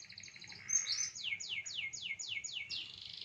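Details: Canary song: rapid high trills followed by a run of evenly spaced downward-sweeping notes, about six in a row, with a faint low hum beneath.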